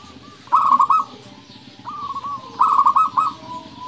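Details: Zebra dove (local perkutut) singing 'nembak' style: two loud rolling trilled coo phrases about two seconds apart. Softer cooing notes fall between them.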